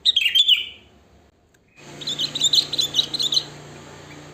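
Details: Sooty-headed bulbul in the wild, natural song free of added fill-ins, meant to lure other bulbuls: a quick slurred phrase, a brief silence, then a busy run of chattering notes over a low steady hum.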